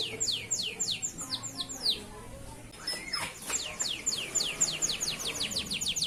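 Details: Local male Atlantic canary singing energetically as a tutor song for young canaries: rapid series of high descending whistled sweeps, a brief pause, then a faster run of repeated downslurred notes, with faint low background hum.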